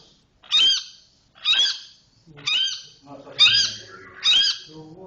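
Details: Long-tailed shrike (cendet) in 'roll speed rapat' style delivering harsh, high chirped notes about once a second, five in a row, with faint low voices underneath.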